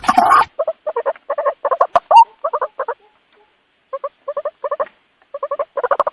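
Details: White-breasted waterhen giving a long series of harsh, nasal double-toned croaks. They come in quick bursts of four to six notes with short pauses, opening with a loud noisy burst.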